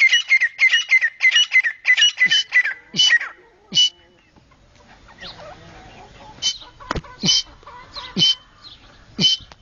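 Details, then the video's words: Grey francolin from Pakistan giving a rapid run of ringing, harsh notes that slows into spaced, loud single calls after a brief quiet gap, with low rumbling background noise. "titer calling"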